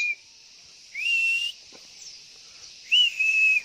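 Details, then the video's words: Female white-eye (pleci) lure call meant to stir males into answering and singing, near a house: level, pure whistled notes of about half a second, each opening with a sharp upslur, three in a row against a steady high-pitched background hiss. "SUARA PANCINGAN Burung PLECI"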